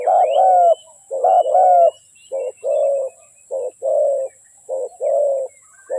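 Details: Spotted dove decoy used to attract wild doves: a run of cooing phrases, short and long low notes alternating steadily, growing slightly softer, with faint high bird twitters in the background.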